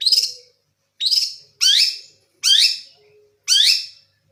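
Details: Long-tailed shrike of Java in full 'isian' song: five harsh, buzzy bursts, each sweeping downward, spaced roughly a second apart with clean silence between.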